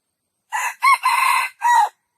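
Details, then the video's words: Junglefowl crowing at a zoo: a loud four-part crow with a short opening note, a rising-falling second note, a long sustained third note and a final drawn-out note, all within about one and a half seconds, with no other sounds. "jungle fowl best crowing"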